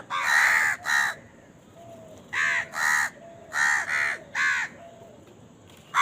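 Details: Crow calling while eating, crows fighting for food; loud harsh caws in pairs and bursts, about eight calls with short gaps, a faint steady hum in the background.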